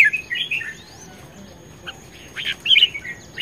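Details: Red-whiskered bulbul being readied for singing contests, 10 May 2020, gives a warbled phrase, a pause with a thin rising whistle, then a second burst of bright, twisting notes.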